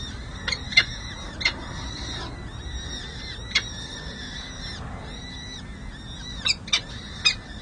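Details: Six- and seven-day-old peregrine falcon chicks at a San Jose City Hall nest during feeding, 7 May 2024, nest camera recording: soft arched peeping with sharp, loud, harsh short notes in bursts, a cluster near the start and another near the end.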